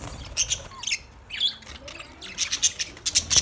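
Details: Parrot chirps from 20 November 2023, sparse high squeaks and short twittering notes scattered across a quiet background, becoming busier toward the end.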